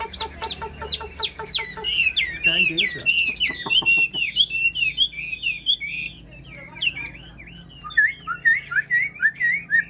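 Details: Chinese hwamei kept in a cage, singing well: a rapid burst of clicks, then varied, fluid, looping whistles that rise and fall in quick succession, with brief pauses between phrases.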